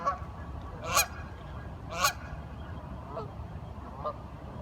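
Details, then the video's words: Curious ducks talking: two loud, harsh honking calls about a second apart, then fainter nasal calls, over steady low background rumble. "Duck Sounds - Curious ducks talking"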